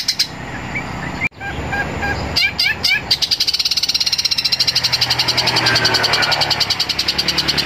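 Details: Long-tailed shrike in the fighting (tarung) singing style, starting with short chirped notes, then a fast rasping train of pulses that runs steadily for about five seconds and grows louder toward the end.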